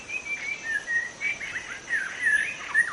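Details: White-rumped shama of the wild forest, recording used to lure other shamas: continuous fluty warbling, whistled slurs rising and dipping with no pauses.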